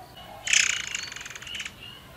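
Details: Murai air forktail, used as a lure to set other birds singing, gives one rasping, finely pulsed high burst lasting just over a second, strongest at its start and fading toward the end.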